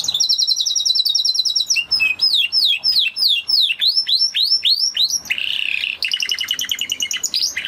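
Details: Spanish Timbrado canary singing: a rapid high roll, then a series of loud down-swept whistled notes repeated about twice a second, then a harsh burst and fast trill.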